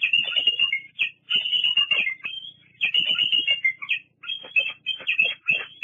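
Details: Bald eagle at Fraser Point, 08-08-22, squeeing continuously at another eagle on the nest. Long, whining high-pitched notes slide up and down in nearly nonstop bursts, with clicks and rustles underneath.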